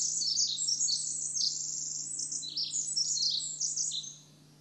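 A Pacific Wren pours out a long, rapid cascade of high, tinkling trills and buzzy notes, running unbroken for about four seconds before stopping.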